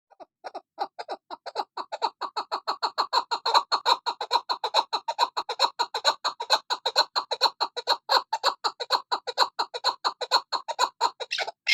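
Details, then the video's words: Female chukar partridge calling indoors: a steady series of short harsh clucking notes, repeated about twice a second, growing louder and more rapid over nearly twelve seconds. "Chakor sound Keklik sesi Female chakor"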